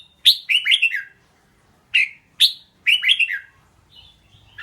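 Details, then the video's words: Red-whiskered bulbul singing in short bursts of bright, bubbly whistled phrases, each dropping in pitch, with pauses of about a second between groups; quiet background with a faint note near the end. "เสียงร้อง นกกรงหัวจุก"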